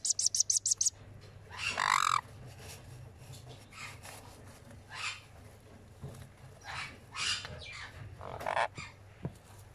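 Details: Baby sun conure aged ten days at feeding time: a quick run of sharp clicks, then a loud rasping squawk and softer scratchy calls spread out, over a low hum.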